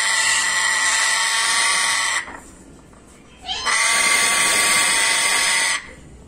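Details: An angry African grey parrot gives two long, harsh, raspy screeches, each about two seconds, split by a brief quiet pause.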